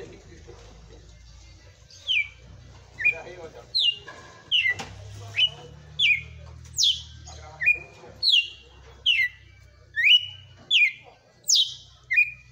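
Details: Red-cowled cardinal, a kept bird, singing a forceful 'açoite' style song: loud, clear whistled notes that swoop downward, repeated roughly every three-quarters of a second in a long series over a low background hum.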